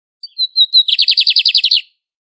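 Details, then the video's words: Lined seedeater singing its classic song, frequent across almost all of Brazil: a few clear high whistled notes, then a fast buzzy trill of about ten even pulses lasting roughly a second. "BIGODINHO CANTANDO MUITO"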